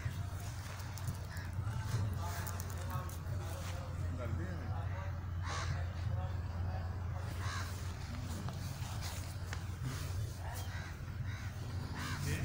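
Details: A pet Alexandrine parakeet in a park gives speech-like chatter and a few harsh, crow-like squawks, heard over a steady low hum.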